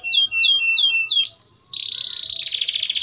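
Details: Singing canary, long-duration song meant to coach young birds: four swooping downslurred whistles, then a steady buzzy tone, a lower held note, and a quick rattling trill at the end.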